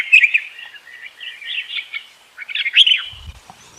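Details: Bulbul calling for a mate, recorded 28 May 2021: a continuous bubbly, warbling stream of quick slurred notes, with a louder burst of rising and falling phrases near the end and a few low knocks.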